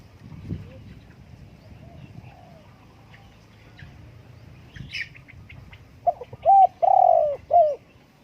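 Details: Spotted dove phrase near the end: a run of four mellow coos, the third longest and falling in pitch. Before it come faint low background noise and a few scattered high chirps.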